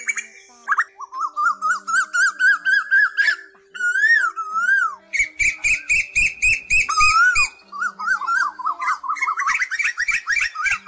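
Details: Asian koel calls played as a lure for migrating birds at night nets in August 2024: rising whistled notes repeated in quick runs, overlaid with other chattering bird calls and a steady low hum.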